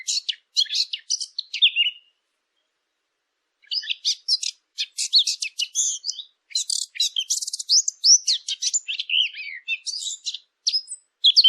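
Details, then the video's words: Long stretch of busy bird chirping: dense, high, scratchy twitters and short whistles in phrases several seconds long, split by a brief silence, otherwise a quiet background. "نصف ساعة من صوت العصافير الجميل ، Yarım saat kuş cıvıltısı ، Half an hour of birds chirping"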